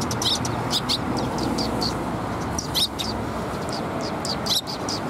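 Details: Sparrows taking food from a tree branch at a Tenmangu shrine on 5 April 2021: many short, sharp high chirps overlapping in a busy chatter, over a constant loud broadband background noise.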